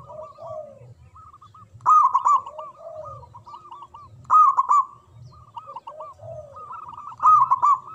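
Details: Strong-voiced local zebra dove in song: three loud bursts spaced about two and a half seconds apart, each trailed by bubbling coo notes, with lower soft coos in between.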